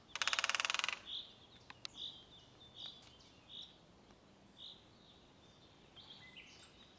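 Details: Great spotted woodpecker recorded 20 April 2024 at Hauptmanca, Ljubljansko barje: a sub-second rapid drum roll, then a few sharp, high, clipped notes spaced about a second apart over quiet rural background.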